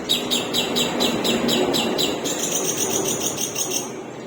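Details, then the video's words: Long-tailed shrike with a split beak, delivering a long run of repeated high chattering notes, about two per second, that ends in a thin sustained tone, over background noise. "CENDET MEWAH PARUH SOBEK | TEMBAKAN PANJANG"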